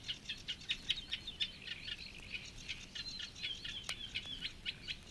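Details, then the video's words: Eurasian reed warbler singing in the Matsalu reed beds, Estonia (1979 field recording): a steady, chattering run of harsh, repeated notes, jerky and rhythmic, continuing without pause over a quiet low background. "Reed Warbler"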